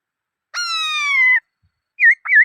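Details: Black-throated laughingthrush: one long, rich, slightly falling whistle followed by two short wavering whistled notes.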